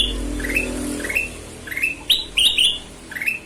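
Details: Actively singing golden-vented bulbul giving spaced, upslurred whistles, then a louder cluster of bright doubled notes near the end, with faint background hum.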